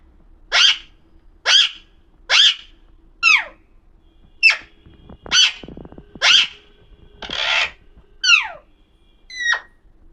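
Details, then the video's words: Pahadi parrot, an Alexandrine parakeet, reportedly talking, gives harsh, scratchy squawks at a steady pace of about one per second, with a few sharper downslurred notes and a brief rustle midway. "pahadi parrot talking video"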